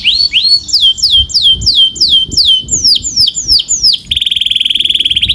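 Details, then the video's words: Canary singing a loud, bright song: a series of about eight to ten clear whistled notes sweeping downward from high pitch, each followed by buzzy overtones, then a fast rapid trill of rapidly repeated clicking notes at the end. "Relax with the Most Popular Canary Singing - Beautiful Melody"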